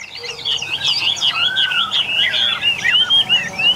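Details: Caged wild-type Chinese hwamei, bird number one, a large well-built bird in full song: rapid varied whistles and slurred notes, with one lower drawn-out whistle midway, continuous for several seconds.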